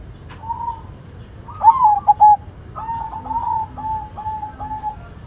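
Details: Actively singing white zebra dove: a soft whistled note, then a loud rolled coo phrase of quick stuttering notes, followed by a gentler run of evenly spaced cooing notes.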